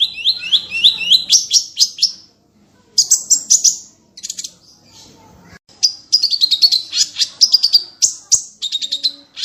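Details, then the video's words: Masteran recording of a small bird's luxurious varied song with 'tembakan' bursts: paired rising notes speeding into a fast chirping series, scattered sharp fragments after gaps, then a long dense phrase of rapid high trills and piercing whistled notes. "MASTERAN BURUNG KECIL FULL TEMBAKAN VARIASI MEWAH"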